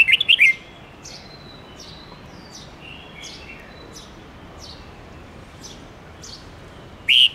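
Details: Red-whiskered bulbul singing a forest-voice song used to teach young birds. Brief bursts of loud whistled notes at the start and end, with faint distant chirps in between.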